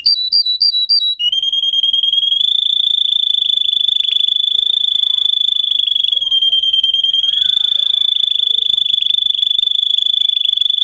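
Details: Singing canary used to tutor young canaries: a brief burst of quick high pulsed notes, then one long, even, rolling trill held near the same high pitch with slight shifts, continuing to the end.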